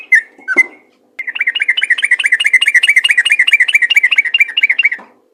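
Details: Yellow-vented bulbul singing in the rapid 'ropel' style, used to prompt other bulbuls to sing. Two short opening notes, a pause, then a fast, even run of bubbly, slightly falling notes, about two per second, lasting nearly four seconds.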